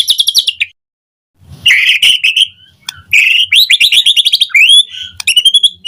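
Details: White-rumped shama in a morning lure recording, full of varied phrases: a high trill, a silent gap, then dense buzzy and whistled phrases and rapid repeated high notes.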